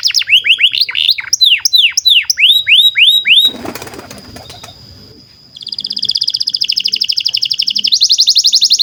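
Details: Canary song used as a tutor for young canaries: a series of loud downward-swooping whistles, a brief noisy burst, then a long fast trill of rapid repeated notes that shifts higher partway through.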